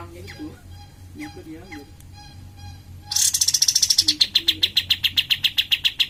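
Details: Lure recording of a cream-vented bulbul to stimulate other birds: three quiet seconds of faint chirps and a thin tone, then a loud rapid chattering trill of evenly repeated high pulses that slowly drops in pitch.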